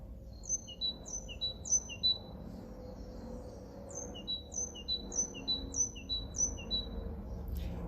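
Great tit song: bright, high two-note phrases, a sharp high note dropping to a lower one, repeated quickly in two bursts over a low background rumble.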